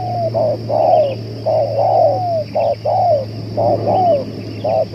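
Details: Spotted dove used as a luring bird, able to call for two hours: loud, steady cooing, each phrase a short hollow note and a longer falling coo, about five phrases, with a faint electrical whine throughout.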